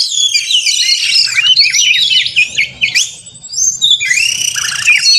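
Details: Caged white-rumped shama singing a fighting song to stir other shamas: a jumble of high chattering, mimic-like squeaks and sharp upslurred whistles in two loud bursts, soft low rumble behind.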